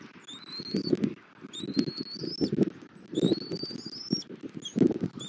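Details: Bald eagle at a Southwest Florida nest in January, the male feeding the chick after finding a stick; three fainter high whistles, gently rising before a short drop, amid bursts of rustling and thumps in the nest.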